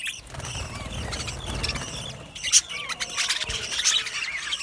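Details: Budgies in an aviary chattering, softer scattered chirps at first, then louder sharp squeaky notes and quick warbles after about two seconds, with low rumbling background noise.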